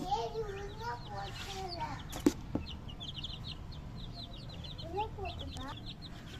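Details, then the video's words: Baby chicks chirping with quick, high peeps repeated throughout; a human voice speaks briefly at the start and again near the end, with two sharp clicks in between. "baby Chicks chirping"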